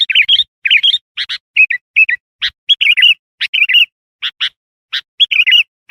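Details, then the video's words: Lively sooty-headed bulbul song played to attract wild bulbuls: rapid bubbly warbled phrases mixed with quick sharp chirps, delivered almost continuously, with no other sounds. "Suara burung kutilang gacor ampuh tuk panggil kutilang liar"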